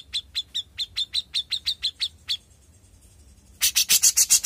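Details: Young grey-cheeked bulbul singing: a string of short, sharp whistled chips repeated quickly, a brief pause, then a burst of loud, rasping buzzy notes.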